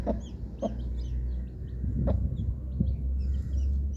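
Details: Baby chickens, coloured chicks, peeping with high, thin, falling notes scattered across the clip, along with a few sharp knocks or taps and a constant low droning hum.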